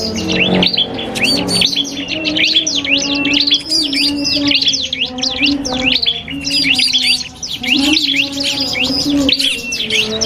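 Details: Cipoh kristal (iora) and prinia in a singing duel for bird training: a long, crowded run of high, rapid chirps, trills and slurred whistles, almost unbroken, with a steady low tone beneath.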